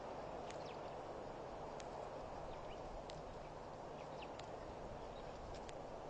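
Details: Blacksmith plover at Pete's Pond, a waterhole on Mashatu Game Reserve in Botswana, recorded around 2:04 PM on 20 October 2012; sharp metallic clicking notes repeated irregularly over a steady broad background hiss.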